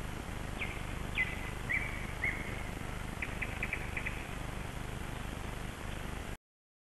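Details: Sunrise bird chorus at Kasmu, 21 May 2012, early dawn: scattered high chirps and a short buzzy trilled phrase over a steady low background hum; the sound cuts off near the end.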